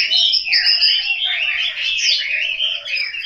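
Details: Home-kept Chinese hwamei in Hanoi, Vietnam, with a brief burst of loud, continuous warbling song, fluid whistled notes running together without pause.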